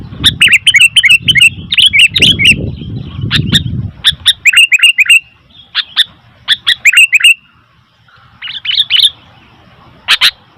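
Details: Noisy sooty-headed bulbul giving rapid runs of bubbly, slurred chirps, many notes per second in uneven bursts, with low rumbling noise in the first half.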